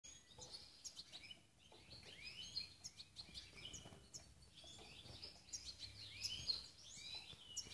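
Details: European goldfinch chicks recorded in 2017: thin, high twittering chirps and short slurred notes, scattered and often overlapping, fairly quiet against a steady background hiss.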